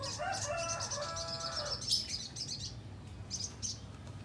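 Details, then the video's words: Little spiderhunter calling to a rival, used as a lure: rapid, sharp, high-pitched chips repeated in quick bursts. A lower, harmonic, drawn-out call overlaps the first two seconds. Steady low background hum throughout. "Pancingan Sogon Bahan Agar Bunyi, Sogok Ontong Gacor Memanggil Lawan"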